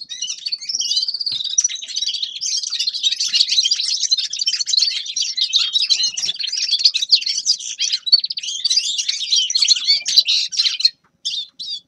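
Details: Extended song of a grey-crowned goldfinch: nearly twelve seconds of rapid, high tinkling twitter mixed with buzzes and trills, closing with a short pause and a final brief burst.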